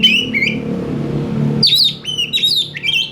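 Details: Oriental magpie-robin, lively and responsive: two brief whistles over a low rumble, then a loud sequence of sharp rising and falling slurred whistles and clicks.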